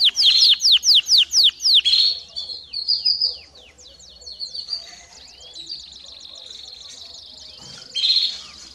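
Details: Canary song used to train young birds: a burst of quick, descending whistled notes, then softer buzzy, rolling phrases and a final bright trill, with faint background noise.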